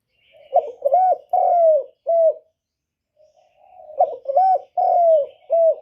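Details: Lure spotted dove calling to draw wild doves in for trapping: two deep cooing phrases, each a stuttered opening, a lilting note, a long sagging coo and a short final note, separated by a quiet gap.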